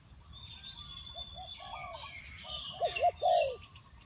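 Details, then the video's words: Spotted dove calling in a decoy trapping setting, a single loud cooing phrase near the end after faint distant coos, with high thin bird chirps and whistles running through the background. "The Sound of Spotted dove"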